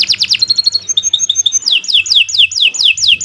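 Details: Captive-style canary song used to train and prompt other birds: quick stuttered notes, a level sustained trill, then a series of downward-sweeping whistles repeated roughly twice per second.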